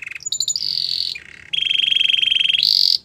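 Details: Belgian canary singing for training, a short sequence of continuous buzzing rolls at shifting pitches, one lower and one higher, with a few quick chirps at the start.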